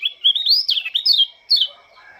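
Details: Lombok Oriental white-eye at dawn giving a brief, sweet burst of high, slurred twittering notes, a gap, then one more quick descending phrase.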